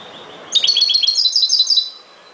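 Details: Chardonneret, the European goldfinch, in ghoroub-style song: a single rapid, bright trill of bubbling twittered notes lasting over a second, high-pitched and metallic, against faint constant hiss.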